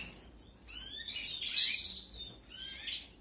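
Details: Canary chicks being fed, captive breeding 2021: a single swelling burst of high, raspy, wavering cheeps peaking in the middle, then a shorter weaker burst at the end.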